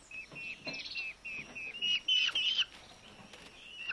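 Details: A starving Eurasian hobby nestling, one of two rescued from a roadway one August evening, at feeding time in a Dömös rescue centre: several thin, high calls, then a louder, harsher burst and a fading final note.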